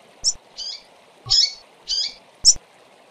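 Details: Female double-collared seedeaters calling: five short, high chirped notes in about three seconds, some sharp and clipped, others slightly buzzy, spaced unevenly over a steady low hum.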